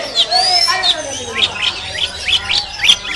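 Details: Oriental magpie-robin of the kacer moncong type at a practice singing contest in Sambas. It gives bright whistled sweeping notes, then a run of short sharp chirps repeated about three times a second. Faint voices sound in the background.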